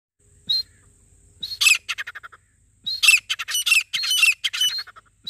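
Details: Grey francolin (Ortygornis pondicerianus), a desi teetar, calls with loud, harsh, high squawking notes in rapid bursts, a short opening note followed by strings of grating syllables.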